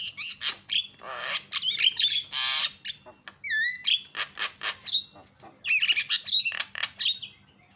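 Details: A Javan myna's lure calling, used to get other mynas to call: rasping squawks, noisy bursts, and a rising, looping whistle mixed with chattery phrases, fairly continuous throughout.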